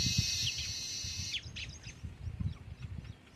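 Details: A nesting colony of male and female Baya weavers (Ploceus philippinus) gives a dense, buzzy wheezing chorus that gives way to scattered sharp high chirps, over a low rumble of background noise.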